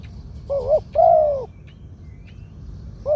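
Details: Spotted dove, a medium-voiced bird of the two-kuk 'khoo-aang' song style, judged fit to keep as a ground decoy. Gives a short double coo, then a longer, falling, hoarse coo. A second phrase begins at the end over low background rumble.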